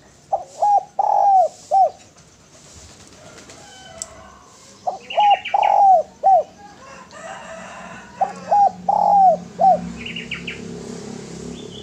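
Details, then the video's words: Red collared dove cooing: soft, low phrases of three or four notes, each group repeated about every four seconds, with higher chirps from another bird in the background. "SUARA DERKUKU GACOR SUARA MERDU"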